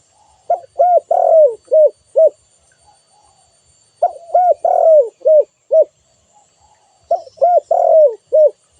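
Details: Spotted dove giving repeated cooing phrases: three rounds of soft, hollow coos, each with one long falling note among shorter ones, spaced roughly three seconds apart in quiet surroundings.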